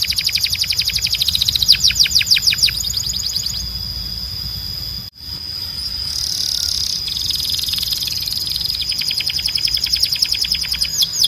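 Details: Canary tutor song meant to teach young birds and encourage male singing: bursts of rapid downward-sweeping trills, a long steady high whistle, a buzzy rasping stretch, a brief break, then quick repeated chirps return.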